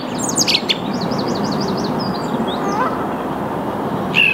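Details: Song thrush singing in the early morning at 08:10 on 8 March 2022, Saarn-Mendener Ruhraue, Mülheim an der Ruhr, filmed on a Canon EOS R5: a high zigzag phrase repeated several times in quick succession over a steady broad rushing background.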